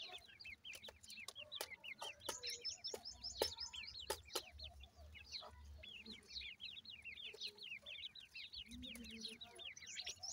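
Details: Young grey francolins kept at home chirp continuously, their high, short, down-slurred peeps overlapping throughout, punctuated by sharp tapping clicks and a soft low hum.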